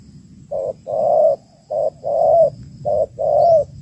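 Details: Female spotted dove calling to stimulate males: three low cooing phrases, each a short note followed by a longer, slightly falling coo, over a soft low hum.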